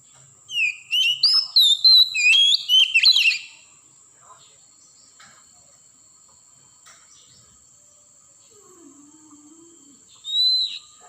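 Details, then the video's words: Wild Oriental magpie-robin from the forest. A three-second burst of varied whistles and sharp chips is followed by a long silence and then one more rising whistle. A constant high-pitched whine continues in the background. "suara asli kacer hutan pancingan kacer bahan agar cepat gacor"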